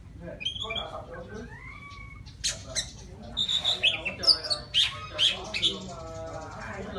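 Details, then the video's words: Wild white-rumped shama singing to call a female: clear whistled notes, a rising slurred whistle, then a burst of rapid, varied, sharp high phrases with chattering trills; faint lower harmonic sounds early on. "Tiếng choè than rừng hót gọi mái"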